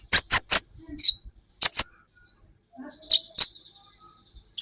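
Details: Olive-backed sunbird heard on a songbird training recording, giving scattered piercing high chips in short bursts of two or three. A brief thin whistled note and a sustained high buzzy trill follow, separated by quiet gaps.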